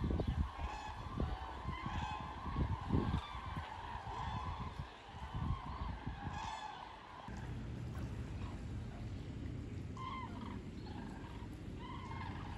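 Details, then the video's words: Thousands of common cranes migrating south in a broad front over the Wetterau, Hesse, Germany, seen from Bad Nauheim on 22 October 2022; a dense chorus of overlapping trumpeting calls for about seven seconds, then thinner, with low rumbling background noise. "Kranichzug über der Wetterau"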